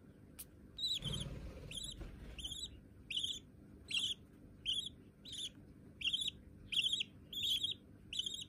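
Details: Young white budgerigars kept as hand-tame pets: a soft rustle or handling noise early on, then regular harsh chirps repeating about every 0.7 seconds, each with a quick upward bend.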